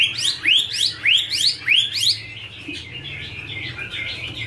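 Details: Chinese hwamei female song, a male audible in the background: four loud rising whistled swoops repeated in quick succession, followed by softer lower warbled notes trailing off.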